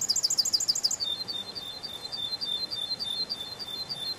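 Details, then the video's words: Canary in a spring forest sings a very rapid, bubbling trill of rolled high notes, then switches to a quicker stream of thin, repeated chirps against faint background hiss. "Пение канарейки, канарейка поет в весеннем лесу"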